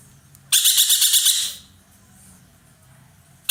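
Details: A loud ekek keling (dollarbird), kept as a master bird for training songbirds, chattering actively: one rough, buzzy burst of about seven quick pulses lasting a second, followed by quiet with faint low background noise.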